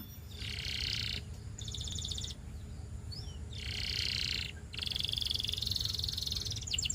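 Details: A Russian canary singing to set other canaries singing: buzzy, rapid trilled rolls in bursts of about a second, separated by short pauses, over a steady low background hum.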